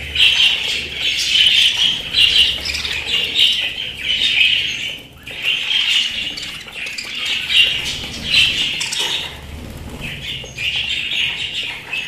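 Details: Pet budgerigars chattering loudly in bursts of scratchy warbled notes and chirps, separated by short pauses of a second or less.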